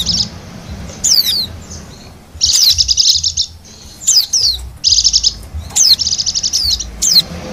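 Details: High, thin song of a wild Bali white-eye used to lure wild birds: descending whistled notes paired with quick trilled chatter, in repeated bursts about every one to two seconds.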